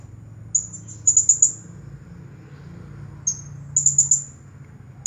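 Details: Champion blue-crowned hanging parrot singing in the "nagih hutang" style: short clusters of three to five piercing, very high ticks, separated by pauses, with a constant low background hum.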